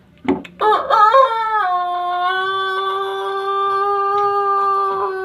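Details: Young Pelung rooster practising its long crow: a few short rough opening notes, then one sustained, steady, harmonic-rich crow held for about three and a half seconds, recorded indoors.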